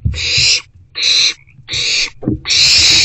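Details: Owl in a nest box during an evening rodent delivery, 29 March 2024. The call is a harsh, breathy hiss given in four long bursts of about half a second each, separated by short gaps, with faint low thumps.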